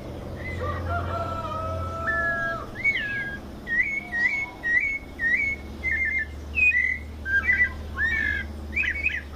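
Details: White-necked thrush from São Paulo, Brazil, giving 'mateiro' style song: a run of bright whistled notes, short, repeated and varied, with some fast doubled twitters, after longer level whistles from another bird at the start, over low rumble.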